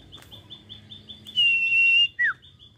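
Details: A wild prinia breeding in a backyard garden in rural Klaten, Indonesia, on a morning gives a long, steady high whistle and then a short note that drops in pitch, with faint rapid high notes repeating behind.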